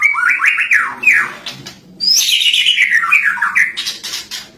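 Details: Lovebird song in the cililin style, used to train other songbirds: rapid chains of sweeping whistled notes, a short gap, then a long tumbling phrase of bright chirps sliding downward.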